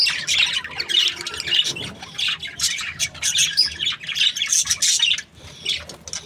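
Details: Happy budgerigar breeding pairs chattering in scratchy, overlapping chirps and squawks, loud bursts with a brief lull near the end.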